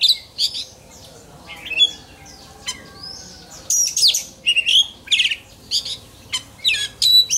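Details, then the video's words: Oriental magpie-robin in fired-up contest song, giving rapid squeaky chatters, harsh notes and sweet whistled slides in irregular, energetic bursts. "Choè than hót đấu/Choè than hót luyện giọng căng lửa/Choè than hót"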